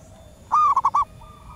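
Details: Female zebra dove calling males in the wild, used as a lure call: a long smooth note then three rapid pulses, followed by a softer distant coo.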